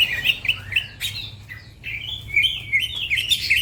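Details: Green leafbird, a fast, lively singer, delivering a run of bright chirps and slurred whistles between 2 and 4k, some notes rising and falling, with other small birds chirping nearby and a low background hum.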